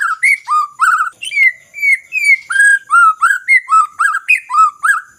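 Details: White-rumped shama singing, used to coax silent birds into song: a rapid, continuous series of loud, ringing whistled notes alternating between higher falling and lower rising phrases, roughly three per second.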